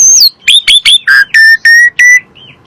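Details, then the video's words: Asian pied starling song used as a lure for caged birds: three sharp rising chips, a short harsh note, then four loud clear whistled notes at steady spacing. "PANCINGAN SUARA BURUNG JALAK SUREN"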